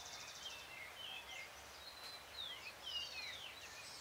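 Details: Great thrush singing on a full moon night, June 13, 2022, around 6:26 PM; faint, high whistled slurs and swooping notes, some rising and some falling, overlapping in quick succession over a steady hiss of background noise.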